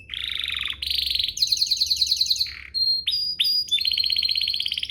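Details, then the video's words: Canary singing to prompt other canaries: a low rolling trill, buzzy rattles, a harsh rasp, short pure whistles, and a long rising trill at the end. "Pancingan Burung Kenari agar CEPAT BUNYI, terbukti ampuh bikin burung kenari lain nyaut"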